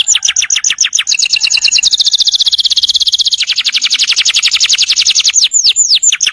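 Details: Canary rolling a long tutoring song: dense, rapid pulsed trill holding high, stepping slightly lower midway and running on for over four seconds before a few falling whistles.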